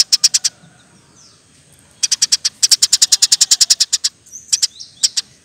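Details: Eurasian tree sparrow chirping for a bird-training recording: a few high, sharp notes, then a long pause, then a fast run of about fifteen evenly spaced piercing chirps. Scattered single notes follow.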